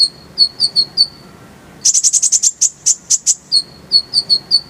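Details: Purple-throated sunbird song for masteran: a steady series of high thin chirps gives way to a rapid, dense roll of very high sharp notes, then the chirp series resumes.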